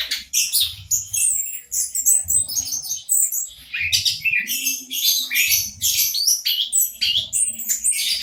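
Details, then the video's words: Orange-headed thrush of a local strain, its song used to stimulate birds that have stopped singing. A dense, continuous run of bright, varied phrases mixes trills, slurred whistles and harsh chattering notes, with a low background hum. "Anis kembang lokal, pancingan ampuh 100% untuk burung macet"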